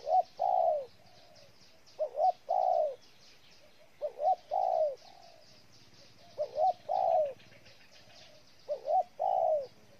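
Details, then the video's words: Rhythmic cooing of a spotted dove, Ninh Thuận, Vietnam: five phrases, each two clipped notes and a drawn-out coo, spaced about two seconds apart, over faint chirps of other birds. "Cu gáy Ninh Thuận"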